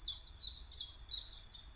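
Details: Four loud, high, downward-slurred chirps from a Common chiffchaff (Phylloscopus collybita), evenly spaced about a third of a second apart.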